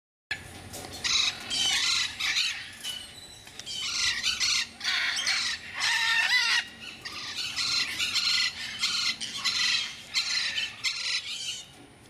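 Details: Two Blue-and-gold macaws, aged eight and seven, give harsh, raspy squawks in rapid bursts about once a second, loud and grating, over a faint steady hum; finding: Blue-and-yellow macaw.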